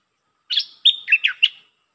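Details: Bright warbling phrase of a red-whiskered bulbul singing lak ber style: a rising whistle followed by four quick chirped and slurred notes, sharp and clear.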